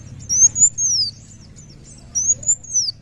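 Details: Two drawn-out, very high whistled phrases from a kolibri wulung of the muncang daun type, each rising slightly then sliding down, roughly two seconds apart over low background hum.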